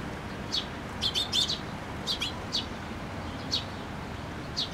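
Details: Sparrows coming to a post to be fed at a Tenmangu shrine on 26 June 2024: short, high chirps in scattered bursts, some doubled or clustered, over a soft background hum.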